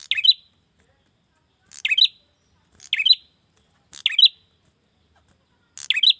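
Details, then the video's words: Male prinia calling a female: high, sharp twittering bursts, a brief click then a fast run of bright notes, given about once a second with silent gaps between. "Pancingan suara burung prenjak jantan memanggil betina"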